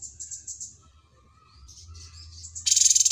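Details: Cucak cungkok, a mastered songbird, gives a string of high pulsed notes, then soft warbling whistles, and ends with a sudden loud, fast rattle.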